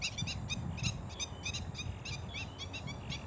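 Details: Wild red-wattled lapwing filmed from far off in open rice fields: sharp, high, clipped notes in quick uneven bursts, about three or four per half second, over a steady low rumble of wind or handling noise.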